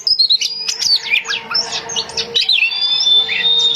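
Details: Home-kept female Oriental magpie-robin singing to lure males: a rapid run of sharp, sweeping whistles and chirps, with long thin whistled notes sliding between the other phrases, over a faint steady background hum.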